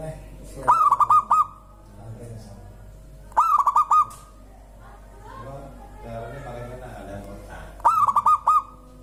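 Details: Local zebra dove, said to prompt other birds to sing, giving three cooing phrases of quick stuttered mid-pitched notes ending in a held tone, spaced a few seconds apart; faint softer bird sounds in between.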